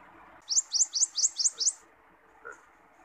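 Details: Wild common iora singing, a recording meant for training songbirds and luring: six quick, sharp, rising high notes given in an even run over about a second, then a faint note; soft low background hum.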